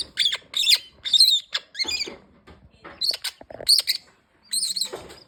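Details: Green-winged king parrot giving loud, rasping squawks in short clusters, with brief quiet gaps between the groups of notes.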